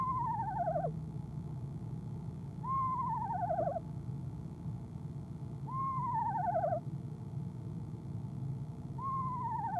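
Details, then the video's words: Female eastern screech owl calling in the evening of 25 January 2015 at her nest box before flying out; four wavering, downward-sliding whinnies about three seconds apart over a low background drone. "Athena ESO Athena trills"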